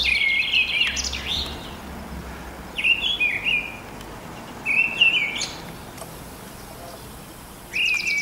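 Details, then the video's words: Mistle thrush giving its song on a spring morning in 2010, March or April: brief warbled whistling phrases roughly every two seconds, each rising and falling, quiet background hiss between them. "Misteldrossel mit Gesang"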